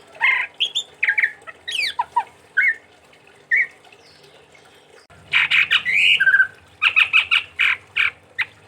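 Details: Chestnut-rumped babbler from Sumatra, kept as a songbird, producing scratchy squawks, sweeping whistles and a dense burst of harsh chattering notes, with a low rumbling background in the second half.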